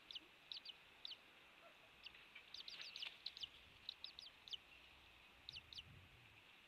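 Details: Nest-cam recording of an eagle at Captiva, Florida, 07:45 on 16 January 2023, shortly after hatching; scattered high chips, then a denser chittering burst, then a few spaced notes.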